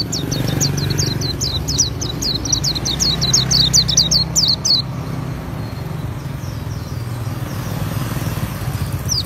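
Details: Oriental white-eye (pleci auri) in lively ngriwik singing: a fast run of high, thin, sharply descending chirps about four per second for five seconds, then quiet, over a steady low rumble of passing traffic.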